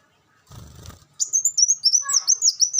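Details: Olive-backed sunbird singing a caged-bird training song: after a brief low rustle, a rapid run of very high, thin twittering notes repeated in quick succession to the end.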